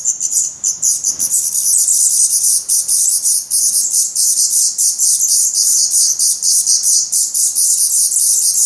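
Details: A brood of hungry Black Redstart chicks, feathered and shedding down, calls from the nest in Portugal on 17 May 2020. The notes are a continuous, loud, shrill chorus of overlapping high squeaks, pulsing rapidly throughout.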